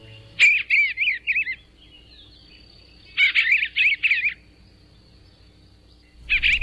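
Eastern Bluebird singing soft, warbled phrases of rising and falling notes in three short bursts, each about a second long, separated by pauses.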